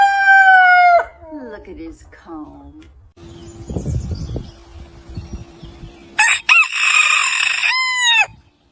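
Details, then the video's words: Rooster crowing: a loud crow fading into falling, broken notes, a stretch of low rumbling noise with a steady faint hum, then a second harsh crow of about two seconds ending in a falling slur. "roosters crowing sound | crowing roosters | crowing sound effect | morning sounds"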